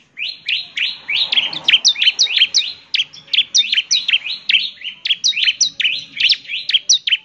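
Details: Bar-winged prinia delivering a busy 'gacor' song to provoke other prinias into answering: continuous rapid high chirps with downward-swept tails, nearly three per second, loud and clean with little background.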